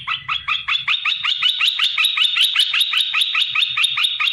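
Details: Captive bulbul, caught by luring and kept three months, calling to provoke other bulbuls into answering; a fast regular chatter of bright two-part notes, about two and a half per second, with faint low thumps beneath.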